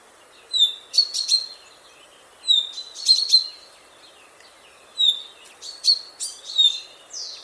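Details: Common chaffinch (Fringilla coelebs) singing bright, high phrases of quick notes, repeated every couple of seconds, in a field recording.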